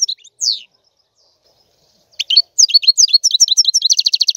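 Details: A buzzy downslurred note from a European goldfinch, a pause, then an accelerating series of clipped, tinkling twitters ending in a fast, even trill.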